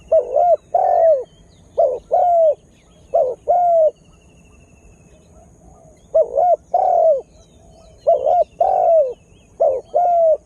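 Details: Spotted dove kept as a lure to attract and excite wild birds, just beginning to call steadily; six two-part coos, a brief hummed note then a longer falling one, with a quiet gap midway.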